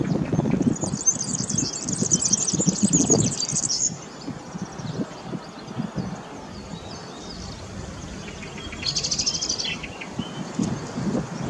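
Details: European serin song recorded at Zamość, a high-pitched, rapid, tinkling jangle lasting about three seconds, followed by a shorter burst later on, with steady low traffic rumble and background noise underneath.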